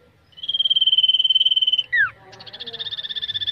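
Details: Caged common iora in mental-toughness training for singing contests: a long, fast, buzzy high trill held steady for about one and a half seconds, a quick down-slurred whistle, then another rattling trill begins.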